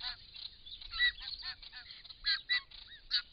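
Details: Group of wild white-winged choughs in Australia filmed by camera trap drinking at a pond; rasping, grating calls with short curved whistled notes, uneven bursts from several birds.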